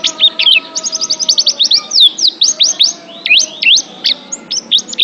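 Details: Oriental white-eye singing to build confidence in pet birds. It opens with a rapid series of repeated sharp chirps, then shifts to varied V-shaped whistles and scattered high twitters.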